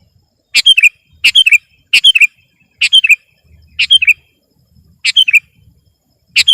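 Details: Sooty-headed bulbul repeating a short bright phrase meant to dominate a rival: a sharp note followed by two liquid, falling chirps, given again roughly every 0.7 seconds.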